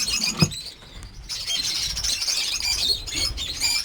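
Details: Many lovebirds at a breeding farm with more than 50 birds; a sharp knock, then a brief lull before loud, overlapping high squeaky chattering resumes from the crowded flock.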